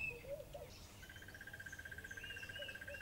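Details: A crested barbet at Lower Sabie Rest Camp, Kruger National Park, gives a long, dry, rapid trill on one steady pitch, like a ringing alarm clock, while other birds chirp faintly behind it.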